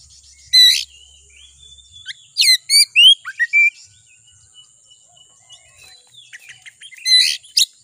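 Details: Lure song of the Oriental magpie-robin (kacer) to stir a rival into singing: loud harsh bursts separated by pauses, short whistled runs and faint twittering, with a steady high-pitched background tone.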